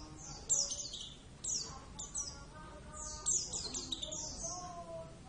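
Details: Javan Oriental white-eye (Zosterops palpebrosus javanus), a kept pet bird singing actively: quiet, high thin chirps and short descending twittered phrases in bursts, with a faint steady tone lower in the background.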